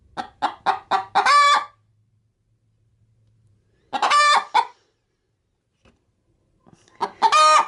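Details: Hen getting ready to lay an egg in a bag of chicken feed, kept as a pet: three cackle bouts of quick clucks climbing into a loud drawn squawk, with long quiet gaps between bouts.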